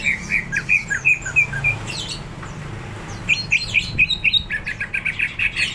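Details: Greater green leafbird, hyper and ready to fight, singing in bursts of rapid, clipped chirps repeated about four per second, a brief pause, then another quick chirping run, with low background hum.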